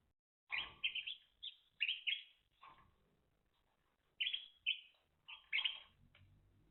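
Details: Timbrado canary singing short bursts of rolling, trilled and warbled phrases in the mid-to-high range, separated by brief pauses and with a quiet low rumble indoors.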